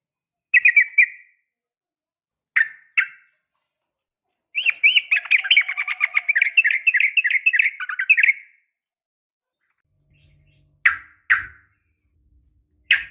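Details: A female yellow-vented bulbul calls for a male, used to coax caged birds to sing: a few separate chirps, then a long rapid warbling chatter, then sharp isolated notes with a faint low rumble.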